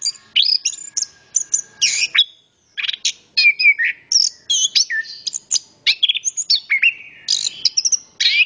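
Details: Anis kembang, the orange-headed thrush, in full song: dense chains of shrill whistled notes, falling slurs and brief buzzes delivered almost without pause, one short silence near the third second.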